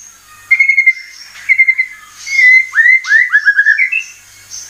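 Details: White-rumped shama lure song meant to make birds sing: clear level whistles repeated three times, then a fluent run of rising and falling slurred whistled phrases.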